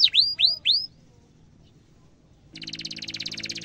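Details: Canary song in the gacor cuit cuit style, used as a lure for young canaries learning to sing: three fast falling-then-rising whistled sweeps, a pause, then a dense buzzy rolling trill.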